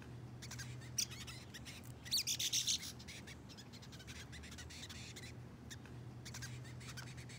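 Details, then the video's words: A young brown-headed nuthatch baby being hand-fed gives a single high squeak, then a quick run of four or five thin chirps, over steady rustling and a low hum. "Baby nuthatch"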